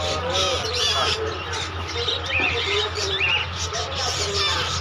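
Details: Parrot chicks giving harsh, raspy squawks and short rising chirps in quick bursts, mixed with a person's voice and a steady low electrical hum throughout.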